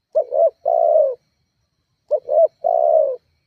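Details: Spotted dove giving a lure call to provoke rivals: two coo phrases, each two short notes then a long falling coo, about two seconds apart.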